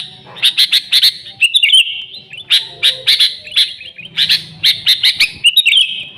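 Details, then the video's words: Sooty-headed bulbul chattering in an unembellished lure recording: bursts of three or four fast chirps, each burst closing with a short wavering whistle, the pattern repeated twice. "Suara Burung Kutilang Gacor ASLI Tanpa isian, Ampuh untuk Pikat Kutilang bikin kutilang Ribut gacor"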